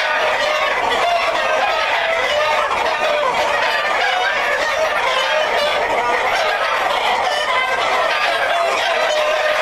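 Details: Black Jersey Giant chickens, a breeding flock kept for producing hatching eggs, a breed originating in Burlington County, New Jersey; dense overlapping clucks and squawky calls from many birds, with a crow-like call among them, steady throughout.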